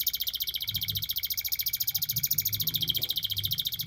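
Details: Canary singing in a long continuous 'ngerol' roll, rapid trilled notes repeated about three to four times a second between high pitches, steady and unbroken throughout, with faint low rumble beneath.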